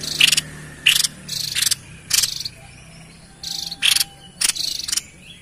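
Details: White-chested babbler in full song, used as a lure for wild birds: short buzzy bursts, some carrying a bright squeaky note, given in pairs and small clusters with pauses between.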